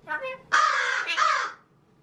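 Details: A male pet talking magpie mimics speech with a brief, voice-like burst of syllables, then a second of harsh, scratchy chatter.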